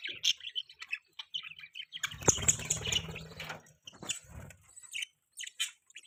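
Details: Budgerigars, pet parakeets, chirping: busy high twittering and short chirps from several birds, with brief fluttering bursts and lower rustling noise in the middle.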